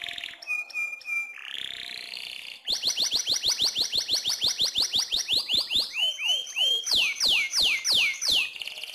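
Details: Canary singing very actively as master song for training other birds: brief high warbles, then a long run of quick whistled downsweeps repeated about three times a second, later becoming louder, slower swooping whistles.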